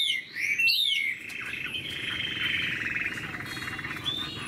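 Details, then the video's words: Moulting Chinese hwamei gives a few loud, sweeping whistles that fade into a softer, sustained warble against background noise. "Chim họa mi đang thay lông, bộ to đẹp, hót cao cầu"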